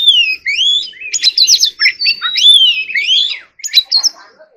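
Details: Oriental magpie-robin giving a fast, lively contest song: clear whistled notes sliding up and down, quick twittering runs and sharp chips, almost without pause, then a brief gap and a few final phrases.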